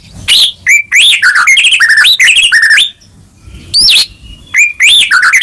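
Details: White-rumped shama song for prompting a silent caged bird to sing, described as full of emotion: loud varied whistles, sweeping rising notes and fast harsh chatter in quick succession, low rumble beneath.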